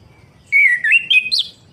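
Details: Orange-headed thrush singing to encourage a bird that has stopped singing: a single clear whistled phrase, steady then wavering and rising in three linked segments, ending in a higher twist.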